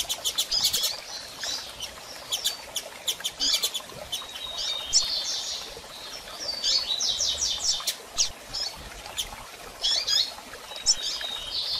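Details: Female Double-collared seedeater giving many calls to stimulate a moulted male to sing: high, thin chirps and short stuttering bursts repeated almost continuously, some slurred and rising, with light background hiss.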